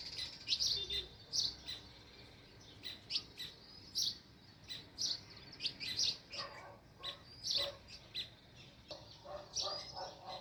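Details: Sparrow chirping near its nest in a village setting: short, bright, high chirps repeated in quick irregular bursts, with softer lower chirps from about six seconds on and faint background hiss.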